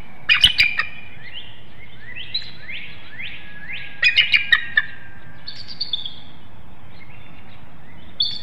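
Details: Bald eagle pair at a nest in Hanover, Pennsylvania, at 6:55 a.m. on 13 March 2019, calling back and forth while the female incubates eggs before the male relieves her. Nest webcam. Sharp piercing notes in two short bursts, between rising whistled slurs.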